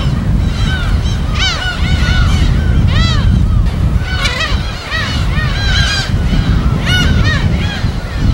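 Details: Gulls at their natural colony on an uninhabited island in Korea's West Sea, recorded on site: many overlapping arched, mewing calls in bursts, with a steady low rumble of surf and wind underneath.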